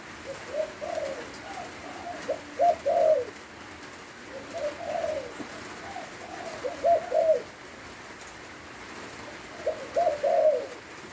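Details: Spotted dove singing in the rain in Lopburi, Thailand: three clear phrases of mellow, throaty coos, each a run of several notes ending in a longer slurred coo, spaced about four seconds apart over rain hiss.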